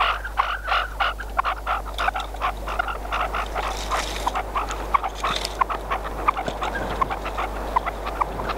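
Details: Hunting decoy partridge calling: a rapid, irregular string of gruff clucks, about ninety a minute, briefly broken by a rustling, breathy burst midway before the clucking resumes; low steady hum in the background.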